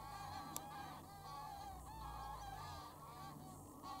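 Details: Many geese calling at Wicken Fen and Burwell Fen on 23 September 2016 around 6:02 pm as the flock takes off and lands; overlapping honking calls with a steady low rumble beneath.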